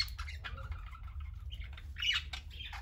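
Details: Indoor pet parakeets playing and lounging; scattered chirps and a short whistled note early, then a loud squawking burst around two seconds over steady low background hum.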